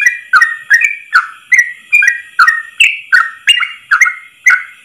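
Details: Long one-breath 'ropel' song of a Yellow-vented bulbul, recorded as a training song: clear whistled notes at a quick, even pace, wavering between lower and higher pitches.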